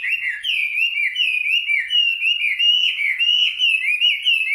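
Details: Nightingale singing a continuous, wavering, whistled warble that rolls up and down in pitch without pause, steady and loud throughout, with no other sounds.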